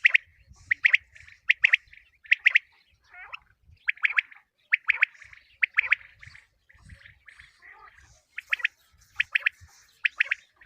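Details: Common quail calls for hunting in the morning: sharp chirped triplets repeat roughly every half second to second, with occasional softer warbled notes between and faint low rumbles beneath.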